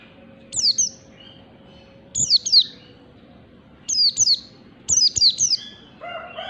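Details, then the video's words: Wild-type Oriental white-eye (pleci ngalas), standard style. Five short phrases of piercing, high, falling notes come roughly every one to one and a half seconds. A lower, harsher harmonic call closes the sequence. "pleci ngalas standar ^^ Oriental white eye bird"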